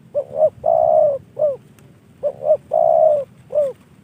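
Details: Two back-to-back coo phrases from a trained spotted dove received from a hobby friend: short double hoots, a long sustained coo and a closing falling note each time.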